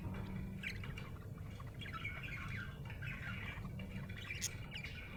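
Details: Happy pet budgerigar chirping, with quick wavering twitters and scratchy notes that are louder in the middle. A constant low hum fills the background.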